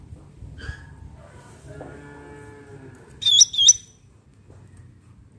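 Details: Bulbul, local name cucak ranting, in a natural setting: two loud, sharp, high chirps close together near the end, preceded by a low, drawn-out lowing sound and steady low background rumble.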